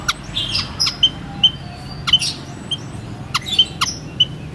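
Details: White-headed munia: scattered thin piping calls with a few softer buzzy chirps and sharp snapping ticks, over faint steady hiss.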